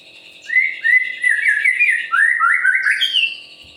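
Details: White-rumped shama in vigorous song, used to stimulate other birds into singing. A fluent run of repeated slurred whistles, dropping then climbing in pitch over a steady high ringing tone.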